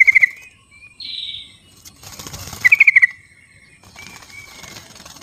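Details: Wild sooty-headed bulbul, used as a call to prompt silent bulbuls into singing: short bursts of rapid clear notes near one pitch, each ending in a held whistle, with a rushing noise between bursts and some faint background chatter.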